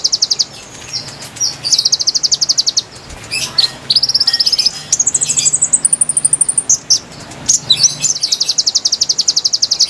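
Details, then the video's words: Lure song of the konin for wild birds: several fast, high trills of evenly repeated notes, some shifting higher in pitch, broken by sharp chirps and scratchy clicks. "PIKAT KONIN KONIN LIAR | KICAU MERDU ASLI SUARA BURUNG"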